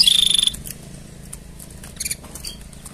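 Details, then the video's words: Mating song of a canary: a loud, rapid, high trill opens, followed by sparse soft chips and a brief faint burst of notes near the end against a steady low hum. "Tone Up Your Canary's Singing with These Mating Sounds!"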